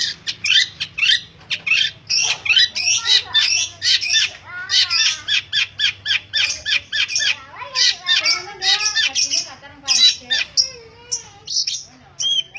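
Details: Long-tailed shrike singing persistently. A dense run of varied harsh, chattering and scratchy notes mixed with short whistles arrives in quick bursts without pause, with a faint low hum underneath.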